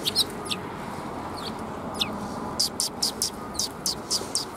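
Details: Sparrows coming to be fed at Tenmangu shrine on 14 March 2021 give short, sharp, high chirps, single at first, then a quick run of about seven evenly spaced notes, over a low steady background hum.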